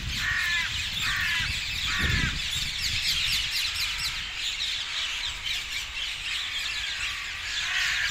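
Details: Parakeets gathering in dozens at their regular roost trees south of Hackney Marshes, February 18th 2021; rapid harsh squawks and sharp chirps pile into a constant noisy chatter, with a brief low thump and distant rumble.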